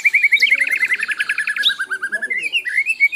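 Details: Lively Asian brown flycatcher song as a tutor recording: steady fast run of short chirping notes, about three a second, wavering slightly in pitch and rising toward the end.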